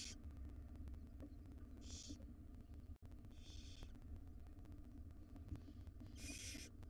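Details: Hungry wild barn owl owlets, five siblings fed breakfast by their mother in a nest box, make four harsh hissing snore-like screeches at uneven intervals, the last loudest, over a low humming background.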